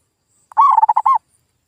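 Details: A single lure phrase of a zebra dove, used to prompt silent local birds into calling: a brief, bubbling string of five or six soft coos running together, then quiet.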